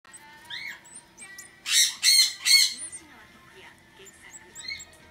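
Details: Red-collared lorikeet (Trichoglossus rubritorquis), call.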